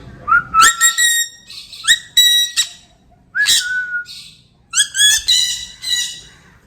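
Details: A trained pet sun conure gives rising whistled notes that break into harsh, buzzy squawks, copying its owner's whistle.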